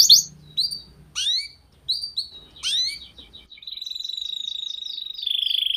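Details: Training-recording song of a canary for juvenile birds: separate sharp rising-and-falling whistles with low background hum, then a smooth, rapid rattling trill holding one pitch.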